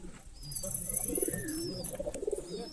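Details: Girebaz pigeon from a 40-year-old breeding line, cooing in a low, throaty, pulsing series through the middle of the recording, with thin high chirps and whistles from other birds above.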